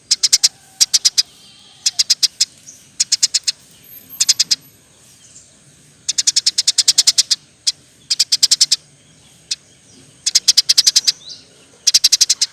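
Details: Eurasian tree sparrow chirping lively as a training model for other birds: clusters of quick, bright, high-pitched chirps delivered in runs, irregular gaps between runs, over a quiet low rumble.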